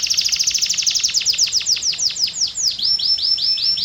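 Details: Domestic canary singing: a rapid run of loud, repeated descending whistled notes, slowing into longer drawn-out whistled sweeps toward the end.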